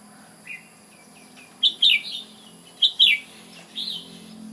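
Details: Red-whiskered bulbul, Ubon, delivering three brisk warbled phrases about a second apart after a faint thin whistle, with low steady hum behind.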